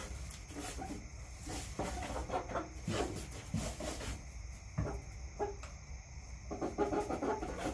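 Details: Clucking from backyard chickens: scattered short clucks and a few brief tonal notes, with a steady low background hum throughout.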